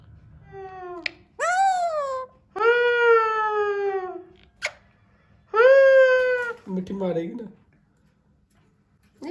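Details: Hand-tame Alexandrine parakeet trying to talk: four drawn-out, rich-toned, wailing voice-like phrases, the middle two long and level, with short sharp clicks between and a brief rough chatter near the end in a quiet room.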